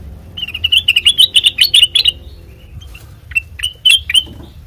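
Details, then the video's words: Sooty-headed bulbul singing, a recording meant as a lure for training birds: a quick burst of sharp, twittering notes lasting about two seconds, a pause, then a few scattered chirps, over a soft low rumble. "Suara Burung Kutilang Mas Sanget Merdu,COCOK BUAT PANCINGAN MASTERAN"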